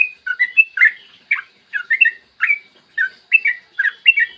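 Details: Yellow-vented bulbul in clear morning song, used as bait to stimulate singing in other bulbuls: short gurgling two-note phrases repeated roughly every half second, each a quick downward or upward slur.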